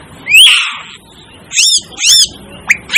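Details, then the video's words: Aplonis panayensis, the Asian glossy starling: a rising squeal trailing into hiss, two arched, ringing, metallic notes, then brief sharp upward flicks. "Asian Glossy Starling Calls Aplonis Panayensis"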